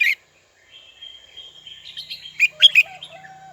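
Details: A red-whiskered bulbul calls out to a rival. One sharp chirp is followed by a thin, sustained, wavering whistle that builds into a run of loud, clipped chirps and ends on a low, steady whistle.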